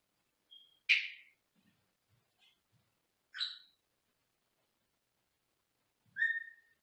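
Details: Caged Senegal parrot, heard from another room: scattered calls over several seconds, a short thin whistle, a loud harsh burst, later a two-toned call and a final clear falling whistle, with faint soft knocks between.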